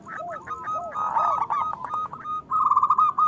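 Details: Local zebra doves, whose song serves to stimulate other doves: staccato coos and bubbling trills overlap, ending in a clear, evenly rolled phrase.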